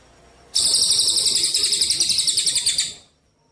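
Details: Javan munia song used to train contest songbirds: a sharp onset into a high, buzzy, pulsing trill lasting about two and a half seconds, then trailing away.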